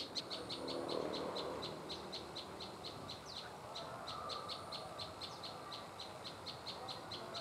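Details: Prinia giving a long, rapid train of high, clipped ticking notes, roughly four per second with a brief pause midway, over a muffled low background murmur.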